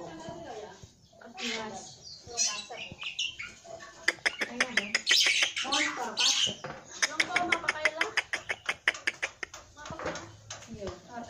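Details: Black-winged myna, locally jalak putih, in full isian gacor song: harsh squawks and grating chatter give way to long runs of fast, sharp clicking ticks, roughly three per second.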